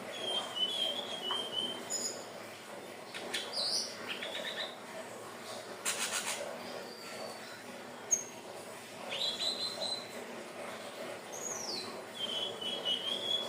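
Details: Hill blue flycatcher song played to lure birds: clear high whistled phrases, slightly falling and warbled, open and close the stretch, with scattered short chirps and brief noise bursts between.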